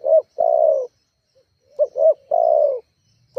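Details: Spotted dove giving its rival-provoking call, used to lure doves into calling; a long falling coo ends one phrase, then a full phrase of two short rising coos and a sustained descending note, with another beginning.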